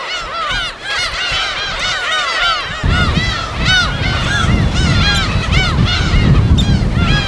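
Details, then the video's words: Wild gull colony on a deserted island off Korea's west coast: a thick tangle of harsh, arched mewing calls from many birds, with surf roaring beneath from about the third second onward. "갈매기소리 무인도 자연의소리 파도소리와 갈매기소리"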